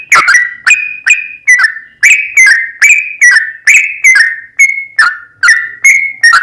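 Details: Steady 'ropel panjang' song of a sooty-headed bulbul intended to make another bird sing; bubbly whistled notes, some paired, repeated roughly every half second with small pitch changes throughout.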